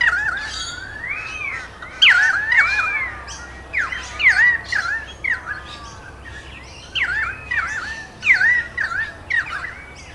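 Pied Currawong giving loud, ringing whistled calls, each note arching up then down, repeated in bursts every second or so, with faint background chirps.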